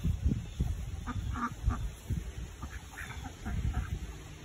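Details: Saxony and Dutch Hookbill ducks outdoors, keeping the owner company while mint is picked, one convinced a treat is in hand, give a few short, nasal quacks over steady low rumbling and thumping.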